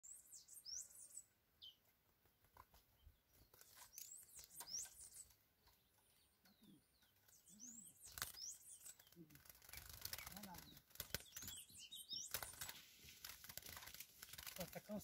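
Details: A chestnut-bellied seed finch (curió), recorded in hot sun on Sunday 25 April 2021 at Lianópolis, gives scattered high, thin whistled and chirped notes in short bursts, with a man talking quietly in the background.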